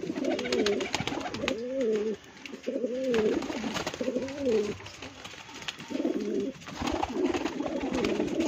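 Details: Pigeons offered for sale, cooing in soft, low, wavering phrases that rise and fall, each about a second long and repeated with short gaps, over faint background clatter.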